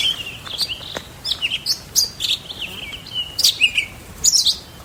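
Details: Townsend's Solitaire, a male, singing to hold a winter territory in riparian canyon habitat with pinyon-juniper in Central Utah; rapid, varied high whistled notes tumbling up and down in a continuous warble over soft hiss.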